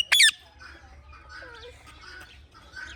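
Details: Indian ringneck parrot chirping naturally: one loud, harsh squawk at the very start, then softer scattered chattering notes and faint thin whistles.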